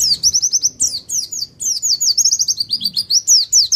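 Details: Javan white-eye of the Pacitan type, used as a master recording to stir other birds: a rapid, continuous run of high, sharp down-slurred chirps, many in quick repeated series, with faint low background rumble.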